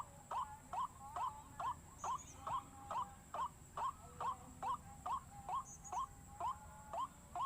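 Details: White-breasted waterhen calling for a lure meant to panic others of its kind: a monotonous string of short rising notes, roughly 140 a minute, with a thin high whine running behind.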